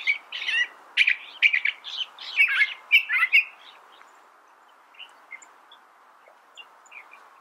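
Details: California thrasher singing a burst of varied, scratchy chirped phrases over the first three and a half seconds, then falling to a few faint scattered notes against a steady low hiss.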